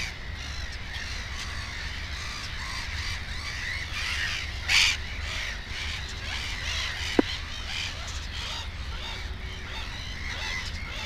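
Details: Black-headed gull at its nest with two chicks: one loud, harsh, rasping call stands out near the middle against a steady background of many distant gull calls, with a single sharp click later.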